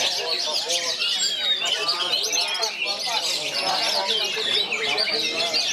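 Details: Caged oriental magpie-robin contest-style singing with three other magpie-robins nearby, bagong and kerayu delivery: rapid run of sharp chirps, whistles and trills layered over each other, continuous and loud.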